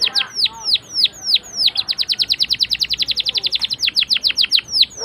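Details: Canary singing with chirps and rolls, played as a lure for young canaries learning to sing; loud falling whistles accelerate into a fast, even trill of sharp notes, then slow again.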